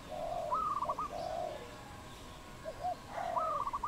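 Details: Wild dove cooing in Cambodia, 22 April 2020: a mellow, drawn-out low coo followed by short hooting notes, then another phrase starting. A higher, rippling whistle from another bird sounds alongside.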